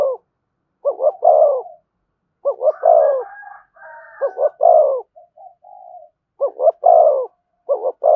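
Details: Spotted dove coo song in the thổ style with thúc and kèm: repeated double-note-then-long-coo phrases, with a softer wavering coo sequence and short clipped notes in the middle.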